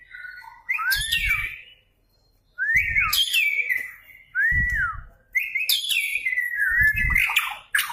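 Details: Actively singing white-rumped shama used to provoke other birds: repeated phrases of swooping, arched whistles with high sharp notes, separated by short gaps, each accompanied by low thumping bumps.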